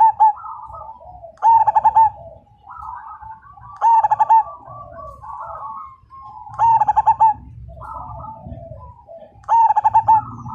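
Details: Lively Majapahit zebra dove (perkutut) whose calls draw other birds into song: four loud pulsed coo phrases repeated about every 2.7 seconds, each five or six quick beats, among softer cooing from other doves and low rumbling.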